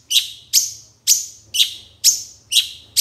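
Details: Long-tailed shrike in a master recording made for training songbirds: sharp, very high downslurred chips repeated about twice a second, each with a short fading tail, over a faint low hum.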